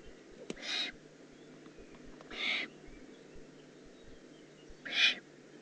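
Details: Juvenile Eurasian eagle-owl recorded 18 June 2016 in Germany's Eifel: three hoarse, hissing rasps at irregular spacing of roughly two seconds, each brief and broadband, plus a sharp click early on.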